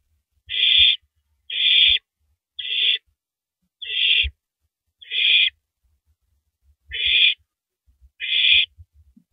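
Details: Female owl eating a large rabbit at 3:33 AM, April 9, 2012; a steady series of seven short harsh hissing screeches, about one per second, over quiet low thumping.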